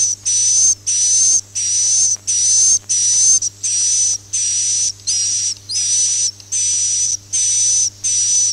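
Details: Swiftlets' calling and roosting sound, used to attract them into a swiftlet house: eleven evenly spaced, hissing, buzzy bursts of about half a second each, with a thin high whistle running through them and short silent gaps, over a constant low hum.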